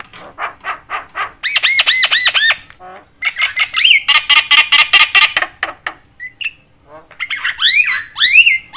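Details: Javan myna (jalak kebo) chattering in a way said to excite other mynas: repeated arched whistled notes, dense runs of harsh rasping calls, then looping whistled phrases.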